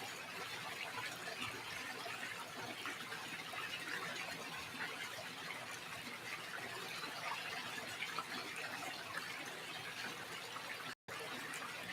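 Steady rushing, water-like broadband noise with no animal sound, briefly cut to silence near the end.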